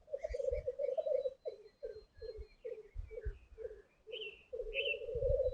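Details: Black grouse males lekking in the dark before dawn, around 4:15 am in the 2025 season, give low, dove-like bubbling rookoo phrases, then short pulsed bursts about every half second, with faint higher hissing notes as rivals joust face to face.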